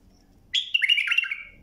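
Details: One loud bulbul phrase meant as a tutoring song for young birds, with a sudden start and a liquid, slurred whistle that wavers and falls over about a second, in a quiet room.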